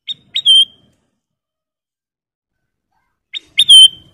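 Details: Two clean whistled phrases from a golden bulbul (kutilang emas), each a couple of short rising notes ending in a longer clear whistle, with quiet silence between; master song for cage-bird training.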